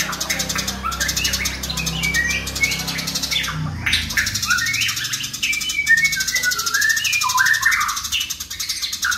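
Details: Fighting house sparrows give a dense, continuous chattering rattle with many short chirps and slurred notes layered on top, over a low rumbling background hum.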